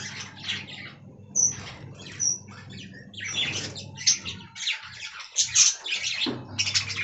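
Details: Budgerigars in a colony aviary, many birds at once: busy high chirps, squawks and warbled notes overlapping in bursts, with a few sharp whistled peaks and a steady low hum underneath.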